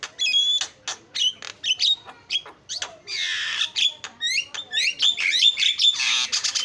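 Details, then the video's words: Continuous Javan myna 'isian' song: clipped whistles and short harsh calls at first, building into dense overlapping rasps, downslurred whistles and buzzy chatter toward the end. "JALAK KEBO KICAUAN PALING KREN SUARA ISIAN"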